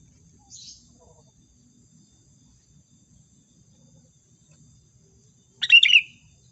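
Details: Sooty-headed bulbul lure call for trapping: a faint high note early on, long quiet, then one loud bubbly phrase of rapid notes ending in a short bright whistle.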